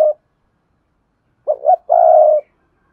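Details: Decoy spotted dove singing to lure wild doves: a clipped note at the start, then one full coo phrase of two short hollow notes followed by a long, slightly trembling croo, with silence otherwise.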